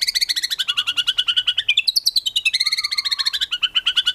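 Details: Rapid-fire white-rumped shama song, full 'tembakan' fill-in material for competition birds, made of a continuous quick trill of high notes with a brief, higher burst in the middle.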